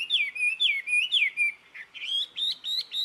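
Jungle babbler calling in a fast run of squeaky, nasal notes, about four a second, broken by a short pause midway; nothing else is heard.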